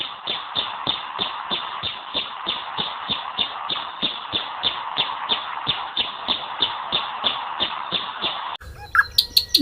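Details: Anna's hummingbird (Calypte anna) calling: a steady run of dry, scratchy chip notes, about three per second, ending in an abrupt cut to a different sound.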